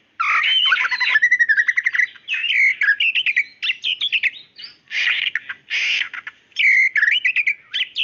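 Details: Female white-rumped shama calling the male: bursts of rapid rattling trills alternate with buzzy phrases and clear whistled notes, separated by short pauses.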